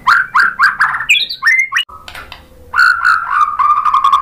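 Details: White-rumped shama song meant to provoke rival shamas to sing: rapid run of loud rich notes repeated several times a second, then squeaky varied phrases, a pause, and steady whistled tones.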